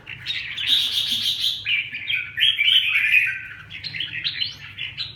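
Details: Kept red-whiskered bulbul, under recovery training, pours out a nearly continuous, rich, chattering warble of rapid rolling notes with bright upswept whistles, over a faint low hum.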